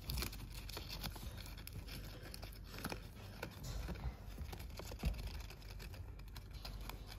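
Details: Indoor tearing, crinkling and tapping noises from play, with soft thuds and no calls or chirps.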